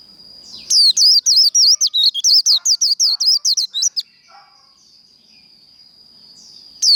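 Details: Japanese white-eye in líu fighting-song style, a trained contest bird: a three-second burst of about twenty rapid, sharp whistled notes with zigzag slurs, then quiet with only a thin steady high tone and a fresh burst starting at the end.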